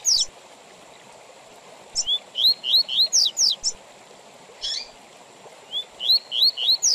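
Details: Double-collared seedeater singing the Tui Tui Zel Zel song style, used with pauses for teaching young birds and for tournaments: bursts of rising slurred whistles mixed with sharp high downward notes, separated by quiet gaps, over a steady faint high whine.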